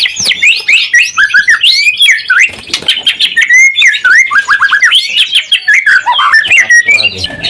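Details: Lively song of a white-rumped shama meant to provoke rival shamas into singing back: dense, fast, varied whistles, slurs and chattering notes in unbroken phrases across the whole stretch.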